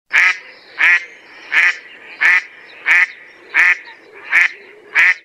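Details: A mallard (Anas platyrhynchos) gives eight loud, raspy quacks, evenly spaced about every two-thirds of a second, with a faint hiss between them.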